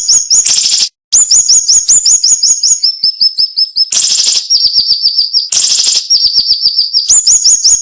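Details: Dense tutor-style song of a cinnamon-bellied flowerpecker, delivered sharply with short pauses: rapid upslurred high notes in long runs, alternating with harsh broadband bursts, a brief silence near the start.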